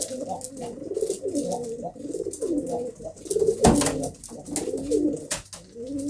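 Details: Several pigeons cooing continuously in low, warbling, overlapping phrases, with occasional sharp clicks and a loud clap midway.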